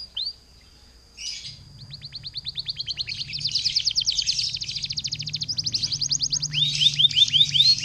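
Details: Canary in full, constant song, played as a lure to trigger other canaries to sing; a brief high whistle, then rapid high-pitched trills and rolling repeated notes that grow louder, ending in quick sweeping chirps over a low steady hum.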